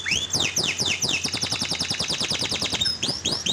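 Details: Canary song as a lure for a canary that has gone quiet: a few rising whistled sweeps, then an unbroken fast trill of high notes, closing with more upslurred whistles.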